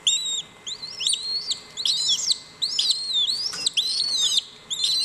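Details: A clutch of Cuban whistling duck chicks at WWT Slimbridge calls while hatching, which unifies hatching time. Many high, thin, rising and falling whistled peeps overlap almost continuously, with a faint steady electrical tone beneath.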